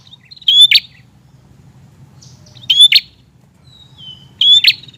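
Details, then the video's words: ['Prinia in full, insistent voice, played as a lure for newly caught birds: three well-spaced phrases, each a quick upslurred whistle into a rasping chip, with a faint thin whistle between.'] "prenjak gacor ngotot"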